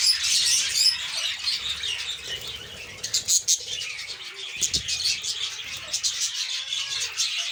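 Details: Lovebirds in a colony during egg and chick season, a loud burst of shrill high chattering at the start, then thinner overlapping sharp chirps and clicks, with a few faint lower tones.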